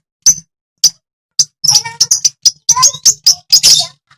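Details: Madura long-tailed shrike song meant to get other shrikes singing: sharp high chips spaced at first, then a tumbling burst of squeaky, varied notes and short whistles.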